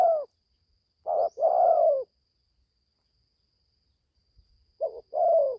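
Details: Young spotted dove, first time in the forest for training and just starting to call; low paired coos at the start and end separated by about two and a half seconds of quiet with faint knocks, thin high whine throughout.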